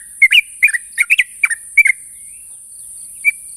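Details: Sooty-headed bulbul calling a rival: a short cluster of liquid, slurred whistled notes in pairs, fading to near silence with one final chirp, over a steady high hiss.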